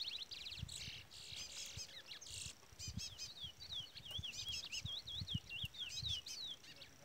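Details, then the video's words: Trola-style song of a brown-plumaged chestnut-bellied seed finch, a chick peeping the whole time; buzzy high note bursts lead into a steady chain of looping, wavy whistles, with low thumps underneath. "Curió Pardo cantoria Trola / Curió Pardo Trolinha"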